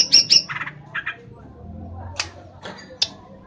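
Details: Greater green leafbird, a kept bird from Kelangdepok, Comal, Pemalang, Central Java, Indonesia: a quick burst of high sharp chirps, then two short lower buzzy doublets, followed by scattered isolated clicks over a quiet background.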